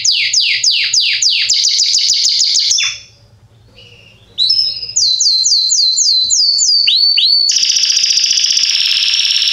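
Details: Salsa-line Belgian canary, a bird said to be excellent for teaching chicks to sing, gives fast downward-swept notes, a brief pause, then more sweeping notes and a dense buzzy trill.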